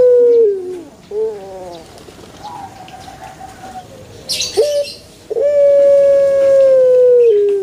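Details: A Pelung chicken finishing one crow with a falling, wavering tail. After a quiet stretch with faint rustling and a burst of flapping-like noise, a new, long, steady, harmonic-rich crow note holds for over two seconds before dipping.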